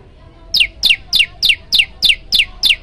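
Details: Prinia (prenjak lumut, also called ciblek or ciang ciang) in energetic varied song, used as a tutor recording for young birds: eight sharp downslurred chirps, each falling steeply, spaced about a third of a second apart over a quiet background.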